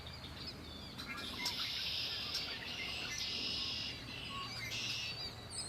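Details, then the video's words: Singing birds near Lake Erie deliver repeated high buzzy trills of about a second each, with clicks and short chirps between phrases, over low background rumble. "Birds singing by Lake Erie"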